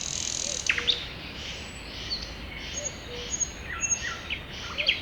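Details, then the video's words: Birds singing in a spring forest: scattered high chirps and short trills over a soft hiss, with brief low whistled notes recurring every second or two. "you can hear the birds singing"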